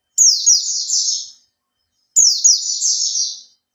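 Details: Oriental white-eye, a captive bird three months in care, producing two long, high twittering phrases of rapid falling notes that fade gradually, separated by silence.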